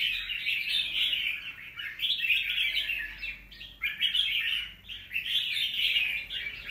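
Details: Red-whiskered bulbul, a wild-caught young bird, recorded 25 December 2023, delivers rough warbled phrases of rapid chirps, several bursts separated by short dips in loudness.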